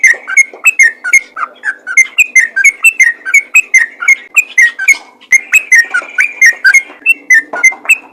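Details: Lure call of a sooty-headed bulbul meant to make other bulbuls respond, a steady chain of short liquid whistled phrases, bright and bubbly, running nonstop over a faint low background hum.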